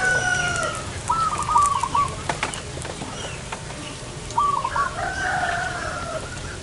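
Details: Wild zebra dove heard during bird trapping in front of a house: two short rolling, stuttered coo phrases about three seconds apart, with other birds chirping and whistling and a noisy outdoor background.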